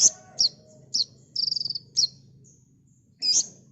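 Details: Kolibri ninja sunbird, a cage bird in a master recording for training other birds, singing tight rapid bursts: high sharp chirps and one fast buzzy trill, with pauses between phrases and a soft low hum behind.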